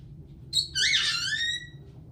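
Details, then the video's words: Pet caique parrot that sings, laughs, swears and dances, letting out a loud harsh screech: a brief sharp note, then a long grating squeal sliding downward for about a second before stopping, indoors. "Caique Parrot sings, laughs, swears, dances"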